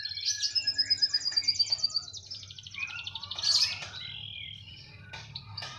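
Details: Canary singing vigorously wherever it is kept: a high, rapid rolling trill lasting about two seconds, followed by bursts of sharp notes, short warbles and a brief loud flourish, above a faint low hum.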